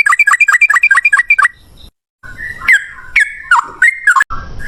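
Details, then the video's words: Yellow-vented bulbul song of the ropel ngalas type, a lure to get birds calling: a fast string of clipped chirps, a silence, then slower warbled whistles sliding up and down. "suara trucukan gacor ROPEL NGALAS, pancingan trucukan agar bunyi jadikan burung trucuk nyaut gacor"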